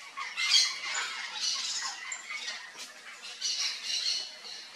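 Yellow-faced Parrots give harsh, grating squawks in a continuous chattering stream, with several birds calling over one another.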